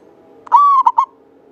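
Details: One phrase from a singing local Javanese zebra dove with a long, clear voice, used as a lure bird: a smooth sustained coo held briefly, then two short, rounded notes in quick succession, soft hum underneath.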